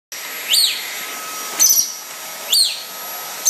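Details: Yellow-breasted lorikeet, described as rare, fighting with a running vacuum cleaner. Three sharp, high, chevron-shaped screeches about a second apart over the steady whine of the vacuum.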